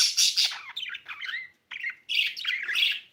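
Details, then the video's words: Chirping budgerigar, described as now laying eggs, making loud raspy chirps and chattering warbles in two bursts split by a brief silence. "budgie chirping sound"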